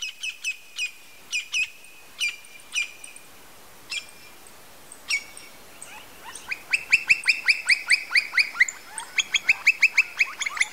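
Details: Campo flicker (Colaptes campestris) giving sharp, ringing single notes at uneven intervals, then a fast, steady run of repeated notes from the middle onward. The run breaks briefly and then resumes at the end.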